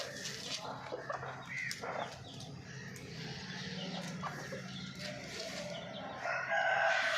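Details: Hens clucking and calling in short, repeated bursts in the morning, with a louder drawn-out call near the end; background farmyard noise throughout.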